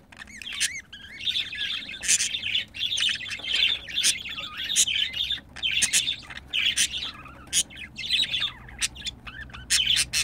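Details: Pet budgerigars caught while mating, giving rapid warbling chatter in bursts of chirps and squawks, pulsing on and off roughly every half second to second, with brief sharp clicks between.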